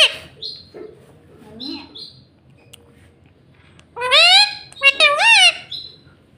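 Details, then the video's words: Pet parrot mimicking the words "mummy" and "mitthu": soft squeaks and murmurs at first, then a loud pair of rich, voice-like syllables with swooping pitch near the end. "Mummy mummy bolne wala tota - Talking parrot - Mitthu mitthu"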